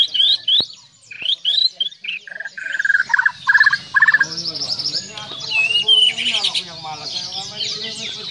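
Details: Borneo-variety white-rumped shama (murai batu Borneo) in varied song: sharp high notes, then a string of short, even, mid-pitched chattering notes, giving way to fast, tangled high whistles and trills.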